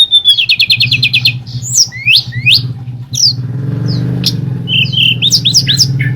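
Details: Sunda forktail at night, a lively lure call meant to rouse other birds into answering. A fast rattling trill of high notes opens, followed by sharp rising and falling whistled sweeps and squeaky chirps over a steady low mechanical hum.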